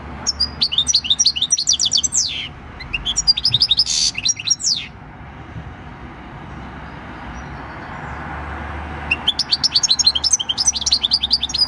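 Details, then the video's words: Six-year-old European goldfinch, wild-caught, singing its field song, recorded 26 December 2019; bursts of rapid high twittering with a buzzy note, a long quiet gap with faint low background hum, then the twittering resumes. "Jilguero campero "EL CARBONERO" / Chant du chardonneret / Goldfinch song"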